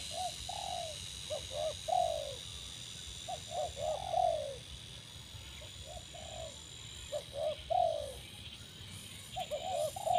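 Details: Newly acquired spotted dove being trained to call quickly on a branch as a decoy, cooing in soft low phrases of stuttered short notes ending in a longer falling coo, repeated several times over a quiet background.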